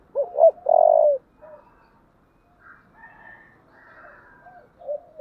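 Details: A 'thổ'-voiced spotted dove delivering thúc and calling coos: a pair of short upswept notes, then a full, steady low coo, trailing into faint murmurs and a soft closing coo.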